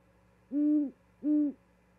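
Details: Wild owl at an osprey nest in Charlo, Montana, on 13 February 2022, bringing a vole to its mate and calling until she responds: two deep, even hoots about half a second apart over a quiet low hum.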